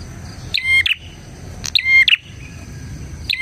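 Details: Bar-winged prinia sound for luring and training prinias: quick paired clicky phrases with a ringing whistled note, repeating about every one and a half seconds against soft background noise.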